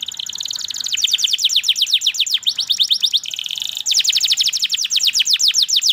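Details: Canary pouring out continuous high trills, fast repeated slurred notes with a brief buzzy stretch in the middle before the rapid trilling resumes.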